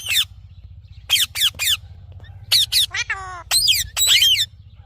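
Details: Green parrot squawking in bursts of harsh, shrill notes, mixing short sharp shrieks with a buzzy, nasal, rattling call in the middle, over a persistent low hum.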